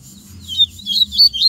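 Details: A double-collared seedeater in the bush sings a quick run of high, bright, slurred chirps, several notes rising and falling in little more than a second; faint low rumble beneath.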